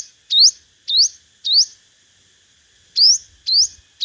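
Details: Five-coloured sunbird used as a decoy in competitive singing: high, sharp upslurred whistles, each sweeping upward with a brief flick, given singly about every half second with a pause midway.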